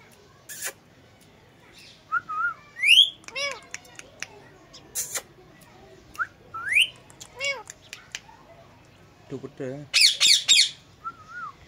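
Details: Indian green ringneck pet parakeet talking on a cradle, copying a cat's meow: scattered arched meow notes and brief whistled phrases, spaced a few seconds apart, ending in a loud raspy squawk cluster and a final soft whistle.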